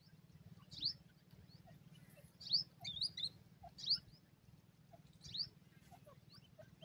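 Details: Partridge chicks squabbling over food, uttering sharp high chirps in scattered ones and twos, a quick double note near the middle, with a constant low mechanical hum beneath.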